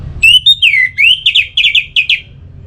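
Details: Loud, unbroken Orange-headed thrush phrase, played to spark singing: long whistles sliding down and back up, followed by a row of repeated doubled notes that fade out.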